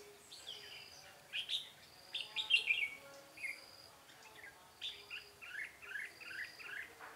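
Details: Red-whiskered bulbul singing as a trapping decoy in a singing duel, 13 March 2017: an energetic run of warbled, chattering whistles, then a series of short, evenly spaced rising notes, with a faint high steady hum.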